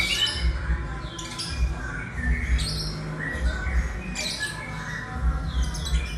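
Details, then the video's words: An eleven-month-old white-rumped shama singing a lyrebird imitation: scattered sharp whistled and chattering phrases, some sliding downward, others clipped and squeaky, over a steady low rumbling background. "Suara lyre bird murai baru umur sebelas bulan"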